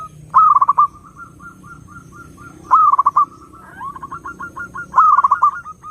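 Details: Zebra dove song meant to draw in other doves: three loud phrases, each a rising coo breaking into a quick run of stuttered pulses, with a soft steady series of low coos between them.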